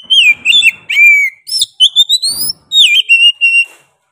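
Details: Oriental magpie-robin singing vigorously with a sharp voice. A dense, almost continuous string of varied whistles includes falling slurs and a long rising note in the middle. Faint rustling and low noise sit underneath.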